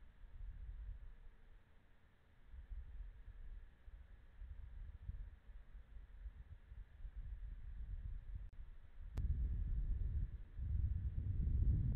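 Only a low rumble of wind and distant traffic is heard, with a sharp click near the end and no animal calls.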